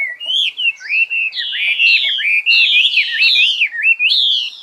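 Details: Continuous loud warbling from a songbird, its rising and falling whistled notes running together into a rich, nearly unbroken stream.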